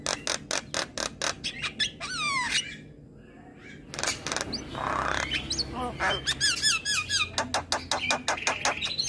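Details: Javan myna in morning song, rapid rattling clicks and descending whistled slurs, a quiet gap near three seconds, then a rough rasping note and further chattering bursts.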